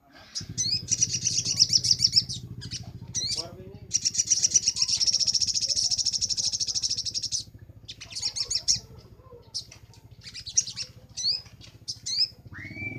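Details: Crimson sunbird (sogon) song made as a master recording for training birds: bursts of fast, high, chattering trills broken by sharp upslurred chips, over a steady low hum running through the clip.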